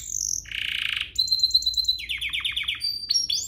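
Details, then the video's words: Canary singing in a recording meant to stir other canaries to sing: a brief high note, a buzzy harsh roll, then quick clipped chirps and a series of falling swept notes ending in sharp whistles. "Pancingan kenari biar GACOR, kenari manapun langsung naik emosi habis dengar ini"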